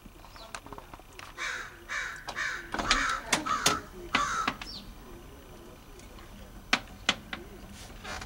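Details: Crows in a front yard in Edmonton, Alberta, Canada, recorded in August, giving a series of harsh, hoarse caws in an irregular burst, followed by sharp clicks and a few quieter notes, with light outdoor background.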